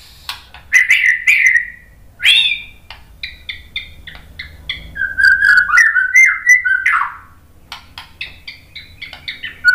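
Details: Song of a white-rumped shama played to spur other birds into answering: rich whistled notes broken up by high sharp chips, then a string of slurred descending whistles and bright staccato notes.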